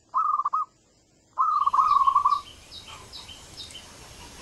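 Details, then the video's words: Young wild local zebra dove singing, used as a lure to prompt other doves to sing. It gives two rapid, purring, trilled coos at low pitch, one short and one about a second long, followed by faint higher chirps over steady hiss. "SUARA PANCINGAN MANGGUNG BAKALAN PERKUTUT LOKAL ALAM BIKIN PERKUTUT LAIN IKUTAN MANGGUNG"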